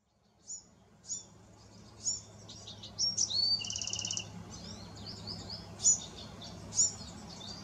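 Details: Bewick's Wren in California gives a high, sweet, varied song of thin whistles, buzzy trills and sharp notes, with a low hum of background noise.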